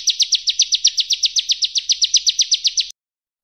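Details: A bar-winged prinia (Prinia familiaris) gives a rapid "shot" burst: an even run of about twenty-three sharp, high notes in three seconds that ends abruptly, with nothing else heard.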